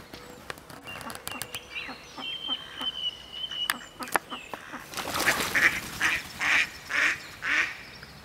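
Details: Duck hiccuping: after scattered clicks and a faint steady whistled tone, a run of five short, harsh, broadband pulses comes roughly every half second in the second half, each sounding like a brief gulping hiccup.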